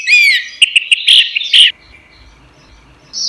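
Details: Orange-headed thrush singing in a cage, recorded for training songbirds: a sweeping whistle followed by quick, clipped repeated notes, then a short silence and the start of a new phrase.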